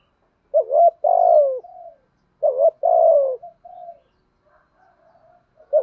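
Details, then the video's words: Urging coo of a decoy spotted dove meant to provoke wild doves: a rising hiccup note, a long falling coo and a soft trailing note, repeated about every two seconds, then quieter scattered notes and a new phrase starting. "chim cu mồi gù thúc bổi nghe là chơi ngay/ tiếng chim cu gáy mồi giọng bài bản"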